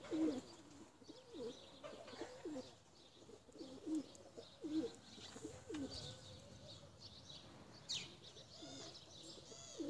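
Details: Tumbler pigeons, flown and made to climb high; soft wavering coos rise and fall in a low pitch, repeated in short bursts over about ten seconds, with faint chirps and light outdoor background noise.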